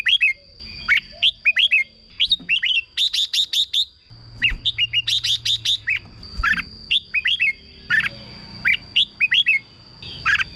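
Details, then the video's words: Red-whiskered bulbul, caged, singing to excite other birds: rapid sharp chip series mixed with lilting slurred whistles, dense at first, then sparser phrases, with low background rumble. "เสียงนกกรงหัวจุก สำหรับต่อ หรือ เปิดให้นกคึก เสียงเพราะๆ"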